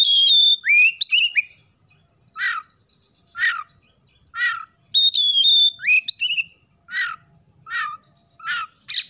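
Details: Oriental magpie-robin singing a song filled with house sparrow imitations: clear whistled phrases with rising and falling slurs, alternating with harsh buzzy chirps repeated about once a second.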